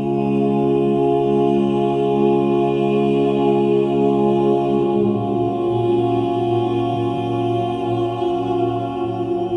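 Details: Sustained chanting and droning music with steady low tones and layered harmonics, and no animal voice.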